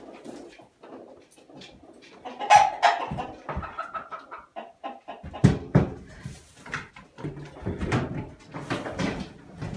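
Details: Chickens let back into the house after a few hours locked out during spring cleaning, giving short, irregular clucks and murmurs, with a few louder squawks and scattered knocks and thumps indoors.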